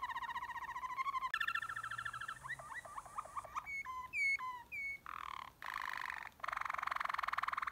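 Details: Caged Waterslager canary singing deep tours: rolling bubbling trills, hollow gliding notes, clear looping whistles and long sustained buzzy rolls, each phrase shifting smoothly into the next.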